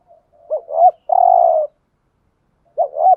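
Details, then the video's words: Decoy spotted dove cooing to lure other doves: two short upward-bending notes followed by a long, steady, low coo, then another pair of short notes after a pause. "Chim cu mồi gáy giọng bài bản/ tiếng chim cu cườm mồi gù thúc. chim cu đất thúc gù giọng nghe giền"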